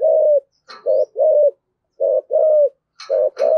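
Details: Spotted dove of the thổ sấm (thunder) voice style, a low hollow cooing in paired notes, a short coo then a longer level one, repeated about once a second, with faint chirps above.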